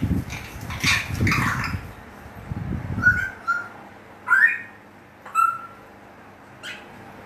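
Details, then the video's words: An African grey parrot named Khuku gives short, clear whistles, some rising, about once a second, after a few seconds of low thumping and rustling. "African grey parrot sounds"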